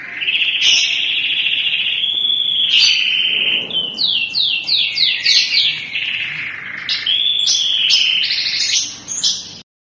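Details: A crested canary, 3-in-1 type, singing: a sustained clear whistled note, then quickly repeated falling chips, followed by bright rolled trills and sharp clicks before the song stops abruptly.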